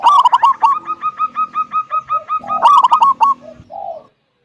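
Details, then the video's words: Local zebra dove, a big-voiced 'kung' style singer used to get other doves singing. A loud rattling burst leads into a fast even series of hooked coos, another burst, then a few soft low notes. "Perkutut lokal gacor suara besar - SUARA KUNG"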